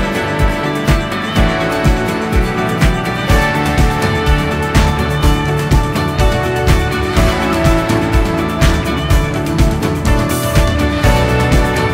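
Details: Steady, upbeat instrumental music with a regular beat throughout, and no animal calls.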